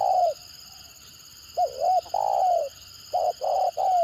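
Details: Spotted dove of the stuttering 'gagap' style, whose voice is said to set other birds responding; low hollow coos, one long note then two short hiccuping notes and a drawn-out coo, repeated, over a steady high electronic whine.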